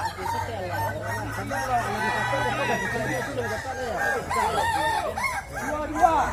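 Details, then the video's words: Roosters of the Kukuak Balenggek breed competing in a crowing contest, West Sumatra. Numerous birds crow at once, producing a thick tangle of arched, wavering notes, with a steady low hum beneath and a few louder peaks near the end. "Lomba Kontes Ayam Kukuak Balenggek, Suaranya Bikin Kagum"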